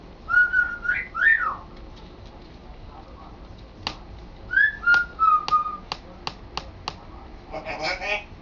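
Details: Pet African grey parrot, male, indoors, practising talking; clear whistled notes around mid pitch, some rising and falling, then a run of sharp clicks and a short burst of harsh, speech-like sound at the end.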